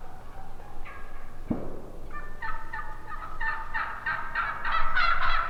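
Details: Turkeys calling: a few faint notes and a sharp thump, then an accelerating, increasingly loud series of raspy yelps, with overlapping voices near the end.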